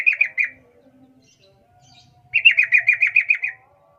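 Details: Sooty-headed bulbul, a female calling to a male; three quick bright notes, a pause, then a rapid even string of about nine chirps.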